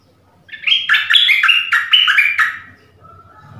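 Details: Decoy dok taeng bird calling a mate in the forest: one loud, fast phrase of about eight stepped, falling whistled chirps lasting two seconds, followed by soft low background rumble.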